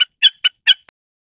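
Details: Common snipe (Gallinago gallinago) calling: four short, sharp notes, each with a dry, rasping ring, given in quick succession, then silence.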